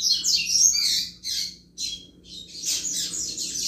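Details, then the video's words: Double-collared seedeater in chuva-style song meant to fire up other males: bursts of harsh, high, buzzy twittering broken by short gaps, energetic and rapid, with a faint steady hum beneath. "Canto Chuva de Coleiro Top Para Esquentar Qualquer Coleiro!!!"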